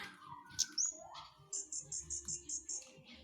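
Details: Flowerpecker in lively song: a sharp high squeak and a falling lower whistle, then a steady series of eight thin, high-pitched pulsed notes evenly spaced.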